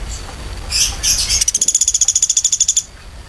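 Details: Woodpecker, with faint high notes at first and then a fast, even series of about fifteen sharp, very high notes lasting around a second and a half, each note rising slightly, over a quiet background.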